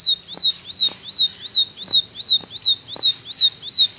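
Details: Bar-winged prinia giving rapid tembakan song: bright, high, rise-and-fall whistles repeated regularly almost three times each second, accompanied by light clicking sounds and a faint low hum.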